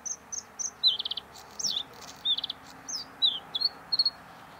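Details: Bluethroat, a meadow-dwelling relative of the nightingale, sings a varied run of high, sharp phrases: clear whistles, quick rattling trills and upslurred notes, delivered in short bursts with brief pauses between them.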